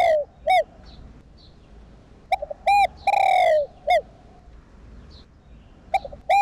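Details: Spotted dove (cu đất) cooing to excite and train caged decoy doves. Short hollow notes come in pairs, then a long drawn coo slides downward, then more clipped notes. The phrases are loud and slightly distorted.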